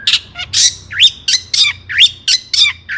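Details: Long-tailed shrike singing excitedly as bait to set off other shrikes: harsh rasping squawks alternate with upswept whistled notes, about one phrase every half second.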